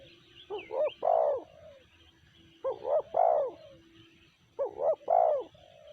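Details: Spotted dove, not yet caught, repeating its cooing phrase three times roughly every two seconds: two short notes, a strong coo, and a softer trailing tail. Distant birds chirp faintly.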